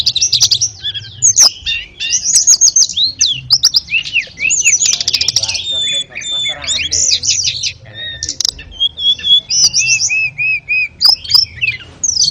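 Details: Over twelve seconds, an ashy tailorbird sings as a master for canaries and magpie-robins, pouring out fast high chirps, sharp clicks and slurred whistles, including a row of five or six repeated descending notes near the end.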